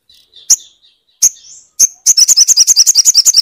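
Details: Crimson sunbird, played to prompt a silent bird to sing: three separate sharp high chips with soft twittering between them, then a fast run of loud, shrill, evenly spaced repeated notes.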